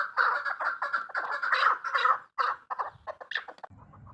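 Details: Female chukar partridge: rapid, rich clucking that breaks after a couple of seconds into scattered single notes, with a soft low rumble at the end.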